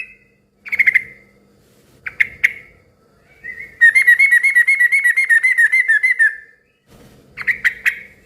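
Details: Yellow-vented bulbul in loud, rowdy song meant to prompt other bulbuls to answer; short liquid note pairs, then a long rapid rattling trill of about two and a half seconds, then more bubbly notes.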